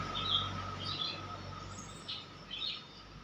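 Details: Hungry wild-caught Horsfield's bush lark chick awaiting hand-fed crickets gives thin, high, squeaky chirps in four or five short bursts over a constant faint tonal hum.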